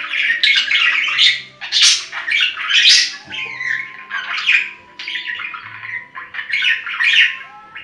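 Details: Indoor budgies keep up a loud, dense warble of raspy squawks, clicks and short whistles, overlapping phrases filling the whole stretch with only brief dips, a soft steady tone in the background.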